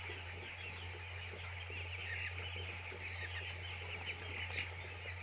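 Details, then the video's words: Flock of chicks at a poultry farm giving rapid, overlapping high-pitched peeps without pause. A constant deep hum from machinery sits below the chorus. "Chicks Enjoy In Poultry Farm"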